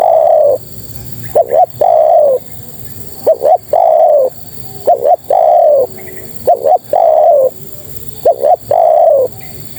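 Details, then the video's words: A female spotted dove calls to attract males, giving a steady series of coo phrases, each a pair of short clipped notes then a long mellow falling coo, repeated roughly every two seconds, five phrases in all. "Suara Terkukur Betina Memanggil Jantan"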